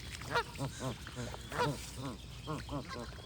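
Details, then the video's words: Close goose honks, loud nasal arched notes repeated about every quarter second in an uneven chatter, each call sliding up then down, over a soft low hum. "Goose & Birds Sound Effects for Relaxation"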